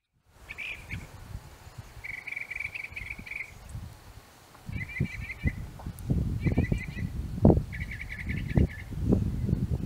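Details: Northern mockingbird singing in an apple tree: separate mid-pitched phrases of rapid repeated notes, each burst different from the last, with pauses between. A strong low rumble and thumping run underneath throughout.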